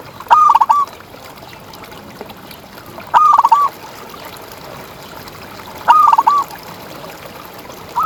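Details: Tutor recording of a local contest zebra dove singing tirelessly. Three cooing phrases arrive about every 2.7 seconds, each a sharp upslurred note breaking into quick wavering coos, with faint hiss and distant clicks between.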